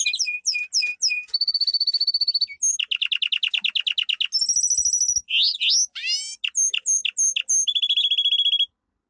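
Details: Domestic canary delivering a powerful training song: varied phrases of repeated upswept notes, fast buzzy trills, a rapid high rattle, and bright repeated whistles, one phrase after another with brief gaps.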